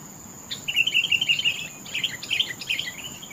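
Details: Sooty-headed bulbul singing a lively run of bubbly, chirping notes, a continuous burst lasting about a second, then a short pause and another cluster of rapid, warbled phrases; faint steady background hiss.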